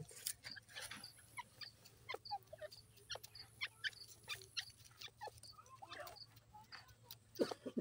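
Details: Grey partridges playing in mud give short, scratchy chirps and clucks in quick irregular bursts, mixed with soft scuffling and clicking noises close by.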